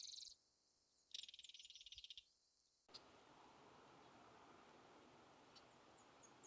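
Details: A belted kingfisher of North America gives a short, grating rattle of quick repeated clicks lasting about a second. A broad rushing noise, possibly water, follows and continues to the end.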